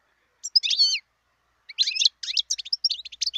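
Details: European goldfinch, wild, recorded in 2018: two short bursts of high twittering. The first is a slurred warble. The second is a run of clipped, rapid chirps.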